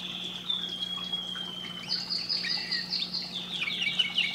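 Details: Canary song for breeding stimulation: a long drawn high whistle slowly gliding downward, then busier high warbling trills and slurs, with a steady low hum and background hiss.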